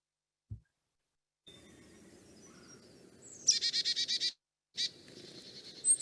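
A Carolina Chickadee gives a thin high opening note, then a quick run of about six buzzy, harsh 'dee' notes, followed by one more burst.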